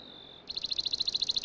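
A Swamp sparrow's song: a thin, high steady whistle, then a quick, even trill of sweet repeated notes, about twelve a second.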